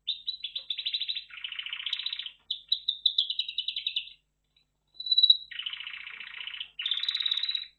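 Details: Red factor canary, a caged finch, singing a varied song of rapid trills and rolling buzzy phrases, pitch shifting between segments with a short pause mid-song.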